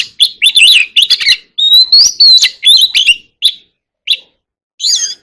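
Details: Contest song of an Oriental magpie-robin, a fast stream of warbled chirps and one long rising whistle, then sparser isolated notes toward the end.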